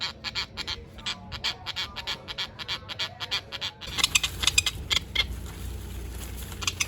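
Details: Tropicbird male defending its mate and nest site against rivals, giving a long run of rapid, evenly spaced harsh chattering notes, then louder, denser screeching bursts over a rising background roar.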